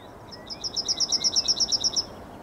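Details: Yellowhammer singing in the morning on 9 May 2021: a fast series of about a dozen bright, high, evenly spaced notes forming a dry rattling trill lasting roughly one and a half seconds.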